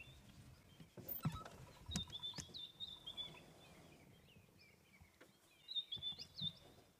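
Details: White-browed Scrub Robin singing short, high whistled phrases in two bursts on an African morning around sunrise, with a bearded woodpecker's taps and a low rumble of vehicle engine underneath.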